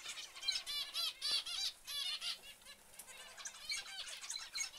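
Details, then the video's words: Baby zebra finches calling together: rapid, overlapping nasal buzzy notes, roughly three or four a second, forming pulsing bursts of noisy sound with brief dips between them. "Zebra Finch Babies"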